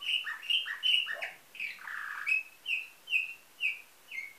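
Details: Caged canary of nightingale-type song from a breeder in Varna, Bulgaria, 2013: clean whistled notes near repeated in steady pulses, a few lower fluttering phrases and a buzzy trill in the middle, quiet background.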